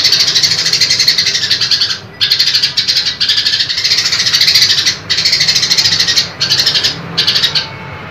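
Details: A female grey-cheeked bulbul gives loud, harsh, rapidly pulsed chattering bursts, each lasting about two seconds, possibly calling to a male.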